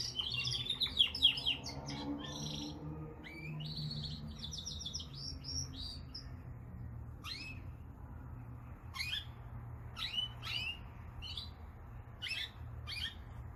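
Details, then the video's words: Caged canary song, opening with a dense burst of fast trills and chirps, then thinning to sparse single sharp chips spaced a second or two apart, with a steady low hum underneath. "Canary singing / Śpiew kanarka"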